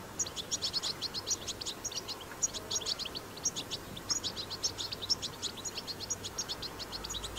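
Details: European goldfinch song of the batbata type, recorded in the wild: long, rapid, unbroken twittering of high sparkling notes and short trills, steady throughout, with faint low hum beneath.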